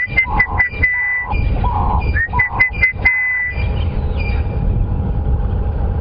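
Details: Orange-breasted bushshrike on a morning safari drive, 20 October 2015, as the heat builds in a calm, thickly bushed drainage line: a run of clear, mellow whistled notes at a steady mid pitch, with other birds calling and a low vehicle rumble.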